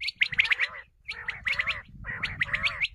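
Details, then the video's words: Common quail calls, known locally as batair, used as a lure for hunting: three bursts of rapid, sharp chirping notes around a gargling undertone, each burst under a second long and separated by short pauses, with low rumble beneath. "Common Quail bulara | shikar k leay batair ki awaz | بٹیر کی آواز شکار کے لیے"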